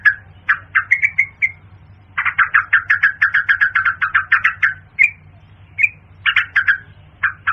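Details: Yellow-vented bulbul (pirok pirok bird) calls used as a hunting lure via Bluetooth speaker: short gurgling phrases, then a long run of quick, evenly spaced bubbly notes, followed by scattered chirps and further chattering bursts.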